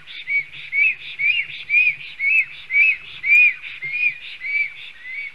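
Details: Male black stork defending the nest, Latvia's Sigulda municipality, 30 July 2020, live-camera audio: repeated high, slightly rising-falling whistled notes at a steady pace near two per second, varying in loudness.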